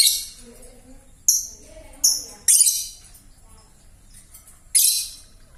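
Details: Young lovebird whose voice is still hoarse and cracked, giving harsh, raspy, high bursts of chatter in separate outbursts every second or so, with quiet gaps between.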